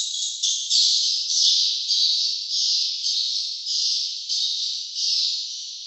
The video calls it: suara sarang burung walet ( swiftlet sound )